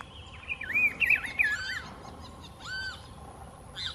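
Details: Rufous-browed peppershrike at Las Macanas Marsh gives rich, looping whistled phrases that rise and fall, then one clear arching whistle, over a soft background hiss.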